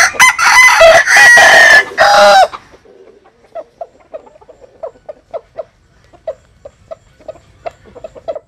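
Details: Jap Cuban bantam rooster crowing while sunbathing in rural southern Vietnam: one loud raspy crow lasting over two seconds, then a quiet run of short, regularly spaced clucks several times a second.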